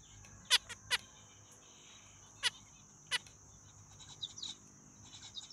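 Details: Zebra finch giving a few sharp, nasal beeps in quick pairs, then scattered single notes and soft twittering toward the end, with a constant thin high hiss in the background.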